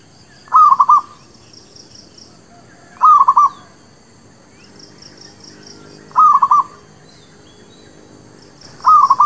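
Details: Zebra dove, locally perkutut lokal or merbuk kampung, in a lure recording for trapping: four short trilled coos of three to four beats, repeated about every two and a half to three seconds. Light high twittering in the background.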